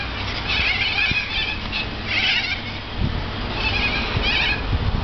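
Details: Large flock of corellas feeding in a Norfolk Pine beside an apartment balcony give harsh, grating screeches in overlapping bursts every second or so, with a low rumble of wind or handling noise beneath.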